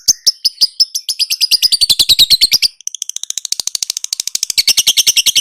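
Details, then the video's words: Fast, unbroken chatter from a lovebird on a training recording: rapid high, scratchy notes pour out several per second, briefly pause, then continue even denser. "Suara Burung LoveBird~for~ Masteran(biar gacor)"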